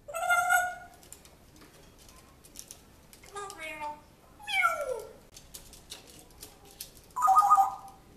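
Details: Pet male African grey parrot indoors imitating a man's voice talking to a dog it seems to remember from a former home: several short speech-like utterances with falling pitch, separated by quiet pauses.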